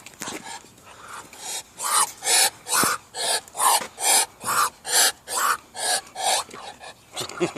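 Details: An angry duck that could not quack hisses while attacking the camera: a rapid run of breathy, raspy hisses, about two per second and fairly even, with a few muffled words from a person at the start.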